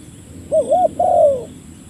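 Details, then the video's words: Spotted dove calling a rival, a call used to lure birds: two quick, mellow, wavering coos followed by one longer coo that slides gently downward, all within about one second against quiet background hiss. "burung tekukur memanggil lawan, mikat burung tekukur"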